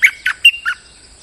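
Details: Molting bulbul lure song: four loud, throaty whistled notes in about a second, with the first high, the next buzzier, then a clear whistle and a lower dropping note.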